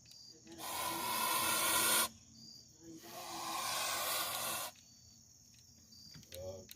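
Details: Pet Sebastopol goose, one year old, by a back porch on 14 September 2022, hissing twice in long, harsh, breathy bursts of about one and a half seconds each, separated by a brief pause.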